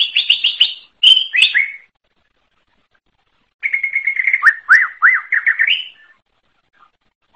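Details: Forest greater green leafbird opens with a quick train of identical high chirps and a couple of sharp notes. After a long pause it gives a rapid chatter and a row of looping whistled notes.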